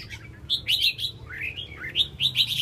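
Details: Red-whiskered bulbul displaying with spread tail: clear warbled phrases of slurred whistles, some notes sliding downward mid-phrase, then ending in a brisk run of bright chirpy notes, with low steady hum underneath.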